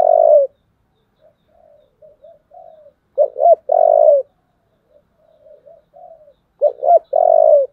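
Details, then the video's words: Spotted dove calling to provoke fighting, sung in the "giọng thổ" style: deep cooing phrases of two clipped notes and a long sustained coo, repeated three times, each separated by faint soft murmurs in an otherwise silent setting. "cu gáy giọng thổ, thúc đấu"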